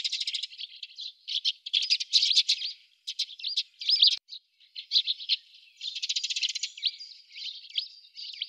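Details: Several Eurasian tree sparrows at an artificial tree-hollow nest box in Budapest, 28 October 2010, filmed from a window hide. They chatter continuously in a busy mix of harsh chirps and dry rattling notes, overlapping in quick bursts.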